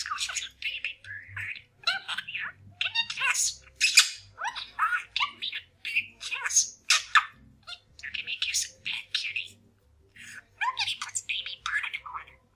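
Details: Pet male parakeet indoors talking and mumbling as he practises new sayings: a steady stream of fast, raspy, chattering phrases in short bursts, mimicking speech, with brief gaps.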